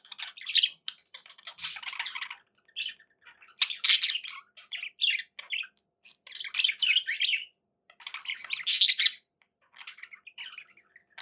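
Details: Several pet budgies warbling and chirping in clustered bursts, with scratchy squawks and brief quiet gaps between busy, high-pitched phrases.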